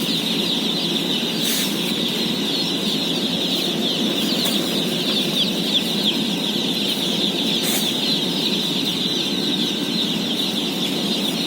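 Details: A house of 17,000 day-old chickens during feeding; an intense wall of high thin peeps, with two louder sharp clatters and some lighter knocks, all over a steady low hum.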